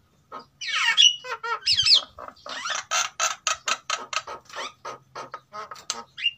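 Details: A male and female white-necked myna from Sulawesi, captive-bred and in breeding condition, sing together as a lure sound. Squawky whistles open the phrase, then a steady string of short, rough chattering bursts follows, with faint low background hum.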